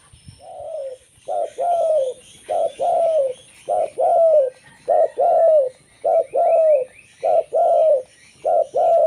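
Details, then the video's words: Local zebra dove singing a lure song meant to attract others of its kind. Steady run of about eight couplets, a clipped coo then a longer mellow descending coo, at an even rhythm roughly once a second. "suara burung perkutut lokal"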